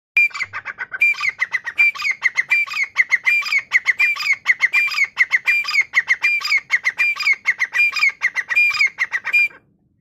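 A francolin gives loud, harsh, rasping notes in rapid, repeated bursts, grating and high-pitched, continuing steadily for about nine seconds with little else heard.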